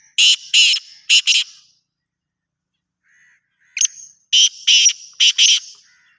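Black francolin giving two loud, harsh, grating phrases of four to six rasping notes each, separated by a pause of about two seconds.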